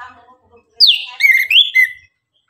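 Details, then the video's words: Orange-headed thrush singing in the morning: a loud whistle sliding steeply down, then rising and falling clear whistled notes run together, ending on a steady whistled tone, with faint softer notes before. "Anis kembang gacor pagi hari, Pancingan naikan emosi agar Rajin bunyi"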